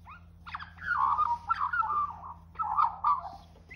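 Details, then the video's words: An Australian magpie in Australia sings for food, giving two bursts of rich, warbling, gurgling song, mid-pitched and fluting, with a low steady hum underneath. "Magpie sings for food."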